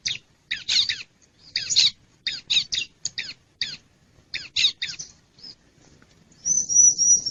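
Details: Harsh scolding notes of a wild bar-winged prinia, played to lure wild birds: scratchy buzzy chips repeated quickly and unevenly, a brief lull, then a sustained thin, high, quavering whistled trill.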